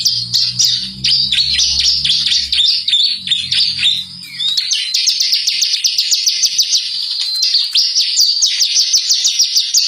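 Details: Lure recording of bar-winged prinia, locally called ciblek, singing to draw other birds into song: a continuous run of high, quick chirps and slurred down-swept notes, over a low hum in the first few seconds.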